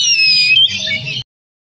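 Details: A Tretes oriental magpie-robin with a full repertoire of mimicked song gives a single quick, high, bright phrase of about a second, sliding whistles turning buzzier at the end, then stops.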